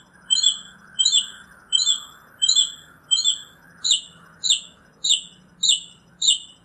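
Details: Northern mockingbird song made of high, bright chirped phrases repeated roughly every half second, shifting partway to a slightly different sharp note, over a low steady hum in the background.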